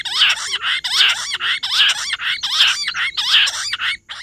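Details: Rock bush quail, 18 July recording, giving a nonstop series of loud, harsh, rasping chattering phrases, each rising and falling, repeated roughly every 0.8 seconds, with a faint steady high whine in the background.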